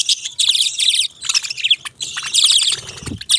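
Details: Budgerigars twitter in quick high warbles and squeaky chirps, two dense bursts separated by a brief pause.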